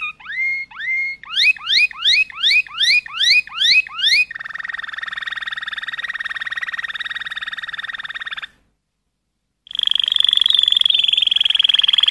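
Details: Song of a Malinois canary, beginning with rising swooping whistles repeated quickly, followed by a long buzzing rolled trill, a brief pause, then another steady trill.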